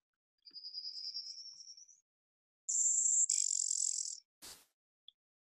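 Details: Blue-winged Warbler, which keeps to treetops, forested edges and canopy, gives its buzz call: a thin, high, slightly rising note, then a harsh, lower buzz, followed by a single click.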